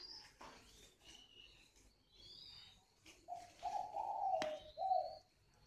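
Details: Thin high whistles and chirps of other birds, then the calling coo of a spotted dove: a short low note followed by a long wavering coo and a brief ending note, broken by a sharp click.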